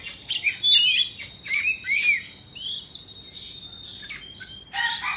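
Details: White-rumped shama, Indo type, in dancing display: bursts of bright slurred whistles and chattering notes, a drawn-out steady high whistle in the middle, and a sharp loud chatter at the close.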